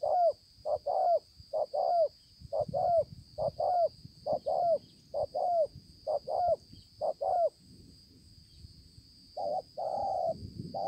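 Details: Wild-caught spotted dove ('bổi') with a fine spotted neck, Konlong, 5 September 2020. Soft low coos come in regular pairs, a brief note followed by a longer falling one, for about eight seconds. A pause follows, then two further coos, over a steady high-pitched whine.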